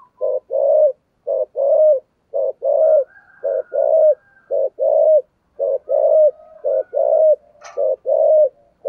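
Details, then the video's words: Spotted dove cooing in the 'thổ sấm' voice style with 'thúc gù' pushing coos: low, hoarse hooted notes in paired and triple groups, about one coo per second, with faint softer cooing from another bird behind. "cu gáy giọng thổ sấm thúc gù quá hay"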